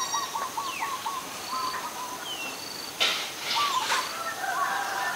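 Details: Adult zebra dove calling at Ubon Ratchathani, Thailand, on 13 May 2022. It opens with a quick staccato string of soft, equal cooing notes. Other birds add thin whistles and a brief burst of noise.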